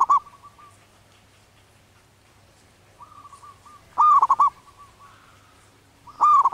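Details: Wild zebra dove in breeding condition singing repeated cooing phrases, each a faint level lead-in note then a loud rapid trill of rolling coos, recurring roughly every two seconds over a low steady background hum.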